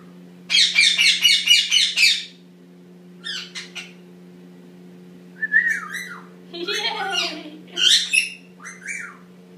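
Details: Eight-month-old pet Indian ringneck parakeet in the shower, practising talking, gives a burst of harsh, rapid squawks, then whistled, warbling, speech-like phrases over a steady low mechanical hum.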